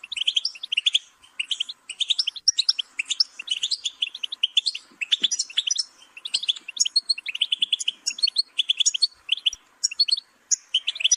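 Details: Long, lively goldfinch song: a continuous cascade of liquid twittering notes, quick chirps and buzzy trills tumbling almost without break for over ten seconds.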